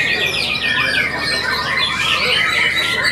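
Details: White-rumped shama singing at a singing contest. Dense, rapid whistled and warbled phrases overlap, with more song and chatter behind them and crowd noise underneath.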